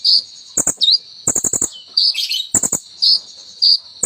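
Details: Sunbird (kolibri ninja) delivering rapid high-pitched chips and a short V-shaped whistle, interrupted by loud clicking rattles, in a song described as full of ciblek and cililin mimicry.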